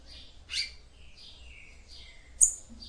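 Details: Song of a female capped seedeater used to excite the male: thin whistled notes sliding downward, a sharp high chip near the end, with soft low hum behind.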